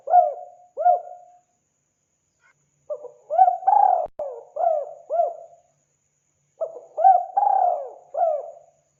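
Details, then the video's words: Spotted dove lure recording for wild doves: repeated low mellow cooing phrases, each with short upswept notes and one long falling coo, spaced by short silences. "Mp3 burung tekukur sangat gacor"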